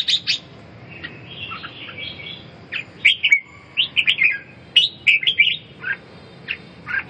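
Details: Red-whiskered bulbul singing short, lively phrases of sharp chirps and bent whistles, some notes sliding downward, with brief gaps between groups over a quiet hum.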